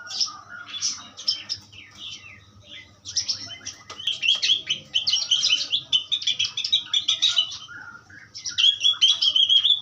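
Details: Asian pied starling in a long varied song, jumbled scratchy chatter building into dense rapid phrases with clear rising whistles near the end, faint low hum behind.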